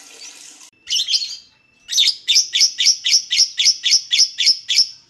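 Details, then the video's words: Lovebird singing in the ngekek chattering style, played to provoke other lovebirds into singing: a brief buzzy burst, a few shrill chirps, then a steady run of sharp, high chirps repeated about four times a second. "LOVEBIRD SINGING"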